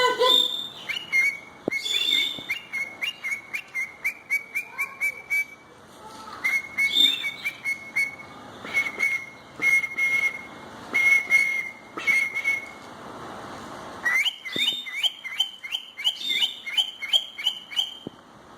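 A cockatiel whistles clear, bright phrases, repeating short rising notes and level held tones.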